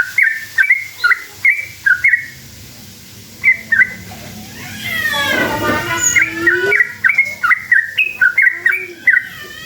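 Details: Yellow-vented bulbul singing as a lure to provoke answering birds: clear bubbly whistled chirps in quick pairs, interrupted midway by a loud harsh chattering burst, then the rapid liquid phrases resume densely to the end.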